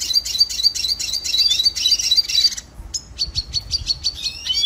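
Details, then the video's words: Training song of the red siskin, an endangered finch: a dense, fast stream of high twittering notes, a brief pause, then a quicker series of clipped high chirps ending in rising whistles. "Red Siskin Singing Training Song - Canto Pintassilgo venezuelano"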